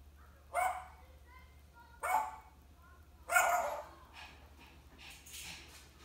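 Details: African grey parrot mimicking a dog: three loud, rough, broadband barks about a second and a half apart, with faint whistled notes between the first two and quieter murmuring after the last.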